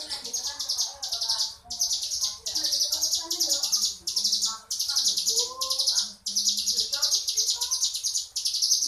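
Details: Crescent-chested warbler, mountain ciblek, singing in the ngebren style: rapid, dense, buzzy high trills in bursts of about a second, separated by brief gaps, with faint lower chirps underneath.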